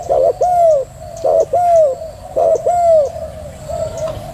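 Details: Female spotted dove giving thúc gù cooing: a short clipped note followed by a longer, smoothly down-curving coo, the pair repeated roughly every second, then a softer final coo, over a steady faint background hum.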